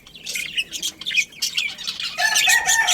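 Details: Budgerigars from a breeding colony: fast, buzzy chirps tumble together, ending in a louder sustained warbling squawk with clear tonal bands.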